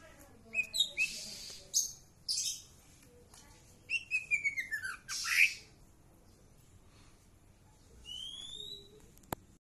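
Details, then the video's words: Orange-headed thrush in lively song: bursts of bright, high twittering and rising whistled phrases with quick slurred notes, pausing, then a few thin high whistles near the end over a faint background hiss. "cak ijo trotol gacor"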